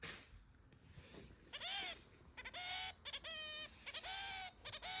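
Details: Pet zebra finch, about six months after being taken home, gives a run of short, nasal, toy-trumpet 'meep' calls, some slightly buzzy, about one every second against a faint background hiss.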